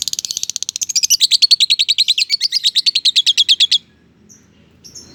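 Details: Lovebird in full chattering song, a long rapid trill of shrill high notes, about three per second at first, speeding into a fast, evenly pulsed stream for nearly four seconds before stopping, followed by faint chips.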